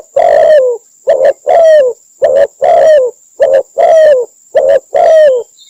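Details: Spotted dove calling from Cambodia, used as a lure for trapping: a series of nine low, mellow coos in under six seconds, some short and clipped, others longer with a falling tail, plus a faint steady high whine throughout.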